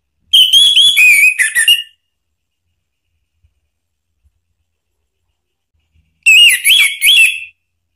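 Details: Song of an orange-headed thrush kept in captivity, played as a lure to make another bird answer: a dense burst of rapid varied whistles and chattering trills, silence for about four seconds, then a second similar burst.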